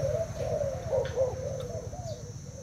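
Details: Caged Thai spotted dove in a cooing contest with a decoy. Short stretch of wavering mid-pitched coos over a steady low mechanical hum.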